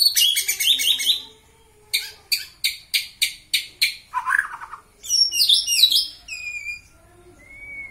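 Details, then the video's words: White-rumped shama, a kept bird provoked to anger to train its fighting spirit, singing a varied burst of high chattering notes, then a string of about seven sharp repeated notes, a lower buzzy phrase, and a bright warbled finish. "Buat Murai Batumu Marah dengan ini!!!"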